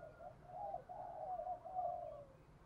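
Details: A single continuous cooing phrase from a spotted dove in the 'giọng thổ pha đồng' style, several soft low notes run together and fading out near the end.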